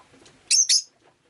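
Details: Rosy-faced lovebird on a rainy day, giving two quick harsh, buzzy chirps in close succession, high-pitched and noisy, against a quiet background.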